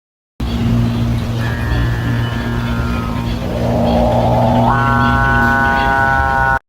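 A Capuchinbird gives a grinding, rising growl that swells into a long, steady, mooing drone, over a constant low hum.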